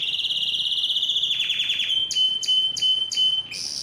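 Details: Canary song aimed at getting other canaries to sing and mate: a ringing fast trill that gives way to slower sweeping notes, then a thin held whistle punctuated by four sharp chips.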